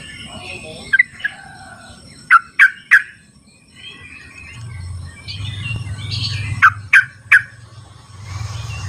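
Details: Sooty-headed bulbul in the wild, sound meant to prompt reluctant birds into singing: sharp, quickly falling notes in groups of two or three, separated by pauses, over faint background birdsong and a low rumble.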